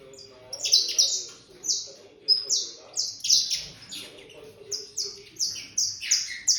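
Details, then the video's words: Eight-month-old Brazilian land canary being prepared for a singing contest: high, sweeping whistled notes in quick, falling phrases, repeated in short bursts, bright and slightly trilled, with faint low room noise. "Canário terra com 8 meses sendo preparado para participar de torneio de canto"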